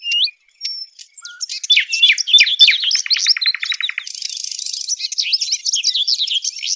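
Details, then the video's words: Sylvia warbler's fast, scratchy song of varied chirps and rapid repeated notes, high-pitched and jumbled, with a brief burst of hiss midway; used as a lure sound for trapping Sylvia warblers. "صوت طيور الدخل Sylvia sound"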